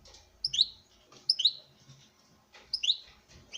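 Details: European goldfinch male courting a female in captivity: three similar high, liquid chirp-and-twitter phrases repeat roughly every second and a half over a soft room hum.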